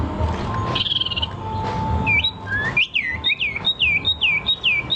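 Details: Bird sound starting with a short buzzy trill, then a quick series of bright arching whistled notes repeated over about three seconds, with a low hum underneath.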